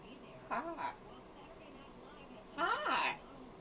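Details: Two bursts of speech-like chatter from a talkative female macaw: a short wavering phrase, then a longer, louder, broader one after a two-second pause.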